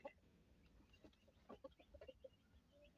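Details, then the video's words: A white Silkie chicken among hens gives short, low clucks in an irregular run of about six notes over three seconds, with faint rustling underneath. "white silkie chicken 🐔 & Hens"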